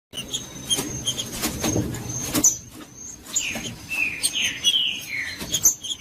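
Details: Green-winged saltator singing in the Judas style, used to stir up silent saltators: a burst of sharp clicks and ticks, then from midway five loud slurred whistles sliding downward in quick succession, over a steady thin high whine.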